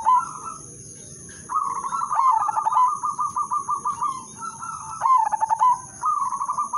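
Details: Zebra dove of the Udanmas Silver type, singing a melodious lure song to get other doves singing. A long run of rapid beaded coos flows into a stuttered burst and a rolling coo. A constant high electronic whine is heard.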